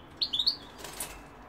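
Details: European goldfinch, with London and Algeria mentioned, giving three quick rising twittered notes followed by a soft rustle or flutter.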